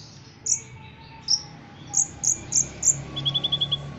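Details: Competition-trained Ruby-cheeked sunbird from Cililin singing. Six separate high, piercing chirps are spaced irregularly, then a short rapid trill of lower notes closes the phrase, imitating a cricket.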